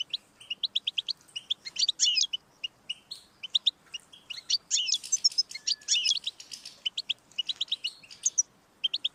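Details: Lively European goldfinch song, played to prompt a pet goldfinch to sing, made of quick tinkling chirps in runs, broken by scratchy buzzing flourishes and short pauses.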